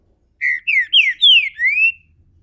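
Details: Brazilian captive Green-winged Saltator moving into its main song with five full, mellow whistles, the first steady, then falling slurs, ending on a rising note, in a quiet setting.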